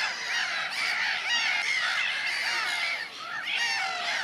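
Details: A crowd of gulls in early spring, many overlapping high, wavering cries forming a dense chorus with no pause, briefly dipping at three seconds.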